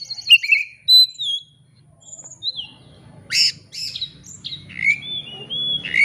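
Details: Oriental magpie-robin singing to goad a rival into full song. Clear falling whistles and short slurred notes alternate with rasping bursts, ending in long level whistles, over a faint low hum.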